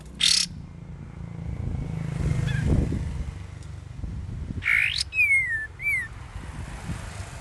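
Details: Young sooty-headed bulbul learning to sing, in varied song: a harsh buzzy burst, then later another buzzy note followed by clear descending whistled slurs, with a low rumble of traffic in the background.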